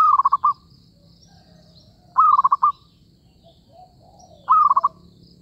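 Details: Zebra dove call used as a lure for trapping: three short stuttering bursts of about five quick, soft, rolling coo notes, each about half a second long, repeated roughly every two seconds, with faint other bird notes behind.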